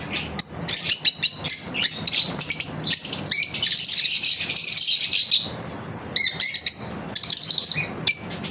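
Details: During their daily routine, lovebirds produce rapid sharp chirps and a sustained squeaky chatter, then a pause and renewed clusters of quick high notes.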